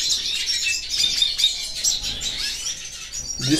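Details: A captive female hooded siskin, a pastel dilute separated from other females as she comes into breeding condition in warm weather, sings a fast, continuous run of high twittering and sweet trilled notes while facing a male; a man speaks briefly at the end.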